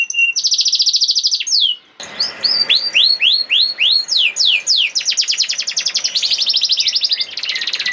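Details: Canary in 'nembak' song, a lure to get reluctant canaries singing: a steady high rattle, a gap, then evenly spaced rising-falling whistles, about three per second, ending in fast trills.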